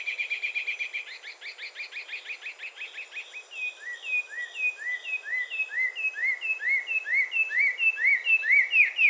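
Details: Green-olive tanager, Carmiol's tanager, singing a rhythmic series of quick rising chirps, changing partway to a slower sequence of clear upslurred notes that steadily gain volume; faint insect hum behind.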